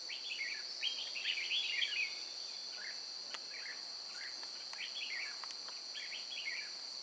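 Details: Red-whiskered bulbul singing at a trapping site at Chùa Hương, Vietnam, 9 May 2018; scattered lilting whistled phrases, a few seconds apart, set against a constant shrill buzz of insects and faint clicks.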